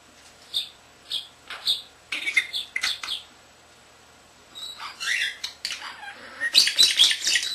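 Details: Pet common starling less than a year old, a male that talks, whistles and copies camera beeps, giving a series of short squeaky chirps, then a gap, then a rush of rattles and chattering clicks.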